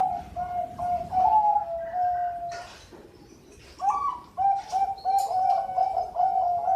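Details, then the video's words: Bangkok-type zebra dove kept in Sidoarjo, East Java, cooing: low steady hooting notes in broken phrases, with a noisy, hissy background and brief clicks. "Suara Merdu Perkutut Bangkok"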